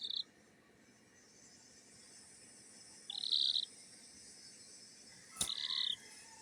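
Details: Kikiriki bantam chick making happy sounds: three short, high, steady peeps about three seconds apart, with a sharp click near the end and a quiet background.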